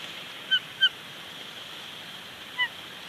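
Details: Bald eagles at a nest with two young chicks at Big Bear Lake, April 2019, on a live nest camera, the male bringing a twiggy branch: three short, thin, high chirps, two close together then one after a pause, over steady hiss.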